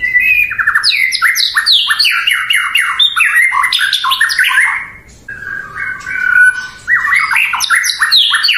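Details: White-rumped shama pouring out song to make rival birds answer: dense bursts of rapid, varied slurred notes, a short quiet break, then another energetic run of quick chattering phrases.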